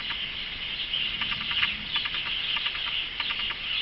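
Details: Captive male Atlantic canary of a pair, which sings beautifully at intervals, giving a continuous high, rolling warble laced with quick clicking trills and chips, steady and busy throughout with no pauses.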